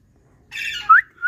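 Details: Pet ringneck parrot in India, one of the talking parrots, giving a short harsh, buzzy screech followed by a rising whistled note and a second brief whistle, loud and clear against silence.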